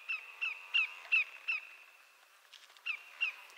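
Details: Greater yellowlegs from eastern North America calling: a run of five clear, downward-slurred whistles, a pause, then two more, over a soft background hiss.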